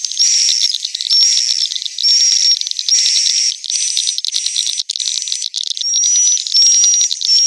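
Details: Recording made inside a successful swiftlet house to attract roosting swiftlets: loud high chatter in pulses roughly every second, overlaid by short, thin, slightly rising whistled tones.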